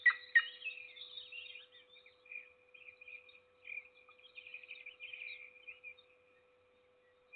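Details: Peregrine falcon feeding a lone chick in Trzebież Forest District, Poland, 7 May 2022; two loud grating cries open, followed by busy high twittering that dies away, over a steady hum.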